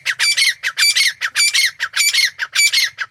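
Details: Grey francolin, a wild South Asian game bird, calling in a steady run of loud rasping squawks with a ringing edge, close together and evenly paced at almost two per second, in a quiet background.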